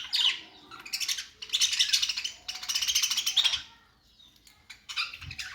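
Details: Budgerigars chirping and warbling: scratchy, buzzy chatter in bursts of a second or so, with sharp squeaky chirps between and a quieter pause near the end.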